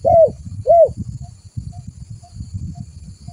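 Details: Lure call of a spotted dove, meant to attract other doves: two short, hollow, arched coos at the start, then only a steady low rumbling noise with faint soft notes.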